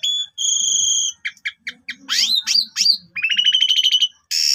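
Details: Asian pied starling song meant to lure other birds, long phrases in a pumping style: a sustained pure whistle, short clipped notes, swooping slurs, then a fast rattling series and a harsh burst.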